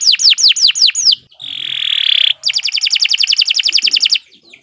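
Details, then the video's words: Canary in full song: a handful of steeply falling whistled notes, a sustained buzzy rasping tone, then a rapid evenly repeated trill fading out at the end. "Kicau Burung Kenari 183 II LUAR BIASA GACOR PANJANG Cocok untuk Masteran"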